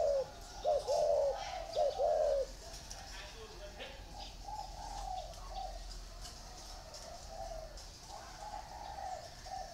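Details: Cooing from caged spotted doves, one housed in a round bamboo cage and one in an iron cage; three loud, close, hollow coo phrases open, followed by quieter distant-sounding coos and soft murmurs in the background.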